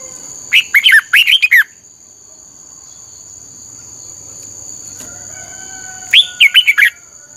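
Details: Red-whiskered bulbul lure song for voice training, fiery 'căng lửa' style: two short, rapid phrases of five or six chirpy warbled notes about five seconds apart, over a constant thin high-pitched hum.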